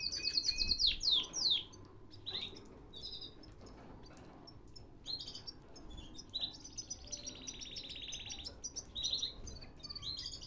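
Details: Canary song from a Baghdad breeder's stock: bursts of bright descending whistled notes at the start, then softer scattered phrases and a long even buzzing trill, separated by quieter gaps with low background noise.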